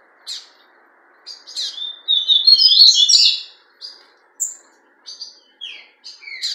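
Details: Fawn-coloured double-collared seedeater in captivity at an amateur breeder's, delivering a rapid jumble of high, buzzy trills and slurred whistles that peaks mid-phrase, followed by spaced, sharp, descending chip notes.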